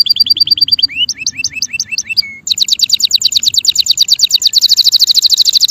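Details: Canary male singing a varied tour: short high pips, a run of upward-curving whistled notes, then a rapid rolling trill that grows louder and brighter toward the end.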